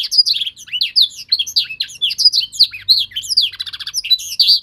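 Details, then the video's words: Young canary being trained to sing by copying a master song: a continuous fast stream of high chirps, swooping whistles and short buzzy trills. "Proses pemasteran kenari paud (singing training season)"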